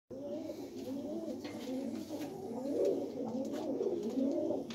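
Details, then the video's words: Pigeons cooing steadily: soft, low, rolling coos overlap without pause, swelling slightly in the second half, with faint background hiss. "কবুতরের অসাধারণ ডাক ।। মন ভোলানো ডাক"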